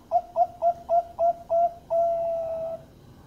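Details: Zebra dove lure song used to prompt other doves to sing: six short, clear, mellow coos in quick succession, about three a second, ending in one long, steady drawn-out note.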